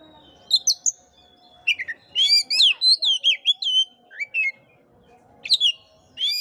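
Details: Oriental magpie-robin singing, used to stir a listless caged bird: loud, fast strings of whistled slurs and chirps, several rising notes, steady pace with short gaps.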